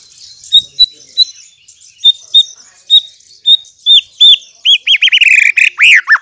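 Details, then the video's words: White-rumped shama song used as a lure to provoke other birds to answer: thin high whistles, then a fast series of loud rising-and-falling slurred notes toward the end. "memikat MURAI BATU agar NYAUT dan NGEPLONG"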